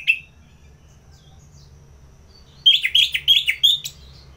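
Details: Orange-headed thrush, ngeplong-style singing: one short whistled note, a long pause, then a burst of five or six rich, rolling warbled notes delivered quickly.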